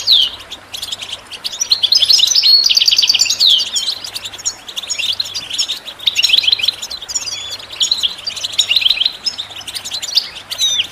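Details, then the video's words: Long European goldfinch song passage for listening and training birds, loud liquid twittering with descending slurs and rapid trills, surging and easing in waves. "The finest goldfinch chirps and songs for listening and training birds"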